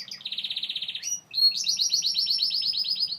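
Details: Gloster canary song with a fast, even, high rattling trill of pulsed notes, a brief pause, then a sharp note leading into a longer rolling trill of repeated slurred syllables.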